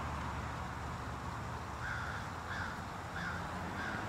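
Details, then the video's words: Crows in mourning: four harsh, short caws spaced about two-thirds of a second apart in the second half, over a steady low rumble of background noise. "Crows in Mourning"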